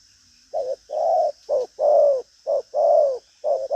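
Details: Spotted dove in a bustling, driving cooing style. Short low notes alternate with longer, rounded, slightly falling coos in a brisk rhythm of about one per second.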